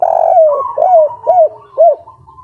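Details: Local spotted dove in breeding condition singing the three-note "kuk 3" style: loud, mellow, hollow coos, a long first note followed by three shorter falling-then-rising notes, with a faint higher overtone and quiet background.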